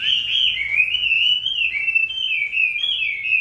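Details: Singing in the rain as its moult nears completion, a Chinese hwamei kept in a household pours out a loud, continuous, rich warbling stream of rapid whistled notes without pause.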